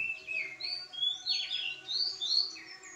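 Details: Pied bushchat (decu) singing: a lively run of high, sweet chirps and short warbled phrases that rise and fall in quick bursts across three seconds, with a faint steady hum underneath.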